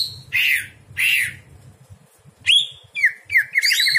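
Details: Greater green leafbird night song used for training other birds: two harsh raspy notes, then clear downslurred whistles ending in a rapid, even trill, over a quiet low hum.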